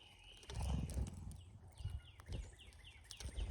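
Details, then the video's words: At a North American feeder during migration, cowbirds give repeated descending whistled slurs amid low thuds and rustling movement. "Love the funny sound cowbirds make!"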